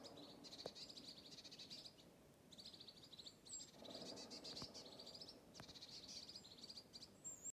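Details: Tits in Oslo mobbing a Eurasian pygmy owl on a January day, on a mobile phone: rhythmic bursts of harsh buzzy chatter, several overlapping callers, faint clicks and a low background rumble.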